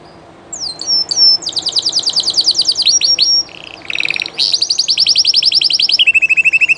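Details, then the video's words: Live llarguet español canary delivering varied song: falling whistles, long high rattling trills, a lower steady roll and fast pulsed rolls repeated several times a second. "CANTO DE CANARIO DE UNA RAZA MUY CONOCIDA Y DE LEYENDA llarguet español"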